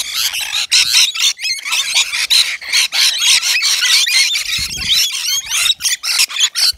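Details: Rainbow lorikeets, native Australian birds, at a balcony nectar feeder stocked with wet lorikeet mix; dense, overlapping harsh screeches and chattering squeals, rapid bursts following one another almost without pause, several birds calling together.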